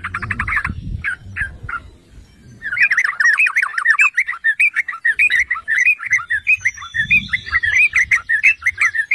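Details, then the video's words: Yellow-vented bulbul (trucukan) singing to provoke rivals: a few separate notes, a short gap, then a long lively stream of bubbling chattering notes, with a faint high whistle overhead. "Pancingan dan Masteran Trucukan MEWAH"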